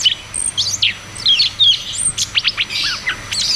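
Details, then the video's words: Rolling ngeroll tembak song of a cucak cungkok, used to stimulate caged birds that stopped singing; bright whistled phrases and chips tumble quickly, with a few sharp rising and falling slurs. "Therapy dan Pancingan Burung Macet Bunyi || Cucak cungkok Ngeroll tembak"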